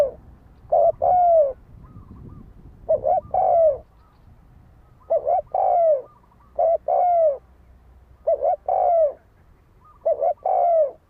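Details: Captive decoy spotted dove cooing to draw wild doves into a fight: six phrases, each a quick doubled note leading into a long, mellow, downward-sliding coo, roughly every two seconds.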